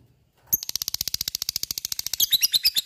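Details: Lovebird ngekek chatter, meant to spur listening lovebirds into song: after a short quiet start, a sudden fast string of sharp high notes rattles on steadily, growing louder and more ringing at the close.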